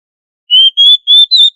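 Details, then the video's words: Oriental magpie-robin (kacer) in gacor ngobra song used to train other kacer: four pure, steady whistles evenly spaced about a quarter second apart, each a little higher than the last. "Suara Burung kacer Gacor Ngobra untuk Melatih Kacer agar Plong Keras"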